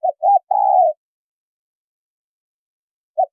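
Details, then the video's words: Female spotted dove calling to stimulate a male to coo: two short arched coos and a longer drawn-out, slightly falling coo, then a long silence and one more short coo at the end. "Tiếng chim cu gáy mái kích trống gáy gù"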